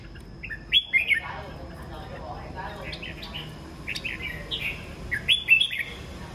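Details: Morning song of several kept red-whiskered bulbuls: bright, warbled whistled phrases that rise and fall, clustered near one second and again near five seconds, with softer overlapping notes between them and a faint steady high tone behind.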